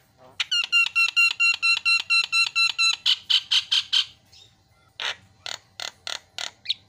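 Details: Javan myna song played as a lure for mynas that have stopped singing: a fast run of ringing, evenly spaced harmonic notes, about two per second, followed by harsher buzzy bursts after a brief pause.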